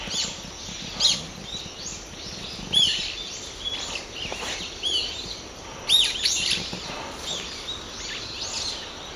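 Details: Several Brown-eared bulbuls in woodland at an ecological park give alarm calls around an earthquake of roughly intensity 3 to 4; shrill, harsh screeching notes burst out at intervals of one to three seconds over a quiet background hiss.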